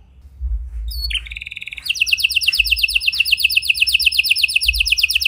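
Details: Gacor canary with a unique cengkok song, used to make silent canaries respond: after a quiet start and a short trill, a fast, even, rattling trill runs without a break to the end.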